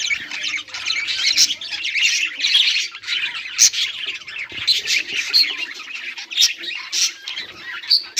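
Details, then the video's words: Budgerigars chirping on 18 July 2023 fill the air with a continuous high, scratchy warble, broken by frequent short piercing squeaks and clicks at irregular intervals. "budgies beautiful sounds and chiriping"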